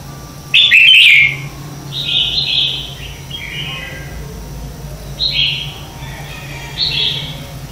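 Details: Red-whiskered bulbul contest song used to stimulate other birds; a loud, tumbling warbled phrase opens, followed by a series of softer, clear whistled phrases repeated at intervals of one to two seconds.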